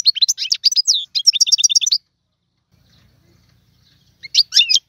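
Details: Trained goldfinch in Tiwawati song: two seconds of rapid, bubbling twitters and buzzy repeated notes, a long silence, then a short burst of bright chattering phrases.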